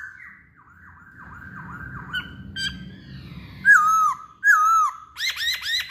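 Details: Masked laughingthrush in lively song: soft repeated wavering whistles over a low rumble, then two loud, ringing, down-curving whistles, ending in a rapid series of rich harmonic notes.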